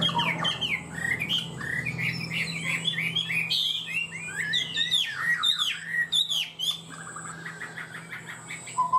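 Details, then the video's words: Caged Chinese hwamei singing strongly: rapid sequences of varied, looping whistled notes, some repeated in quick runs, over a steady low hum and a faint high continuous tone. "Chim họa mi hót cao cầu, ra mỏ nhanh ổn định"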